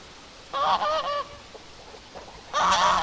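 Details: A goose on a pond gives a quick run of three nasal, wavering honks, pauses, then honks loudly again, with faint background noise between calls.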